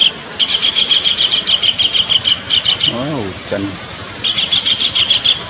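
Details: Lure recording of a kingfisher: a fast series of harsh, high repeated notes, then a short break with a brief squeaky sound before the rapid chatter returns.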